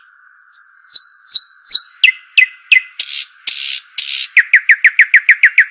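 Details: ['Arabian babbler: a few short level whistles, then descending chips and three harsh rasping bursts, ending in a rapid, regular string of about ten sharp falling notes; a steady background hum throughout.']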